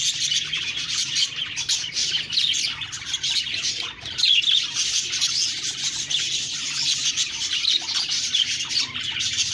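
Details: A group of budgerigars chirps and warbles continuously, fast high notes and squeaky chatter overlapping, occasional brief dips in the din.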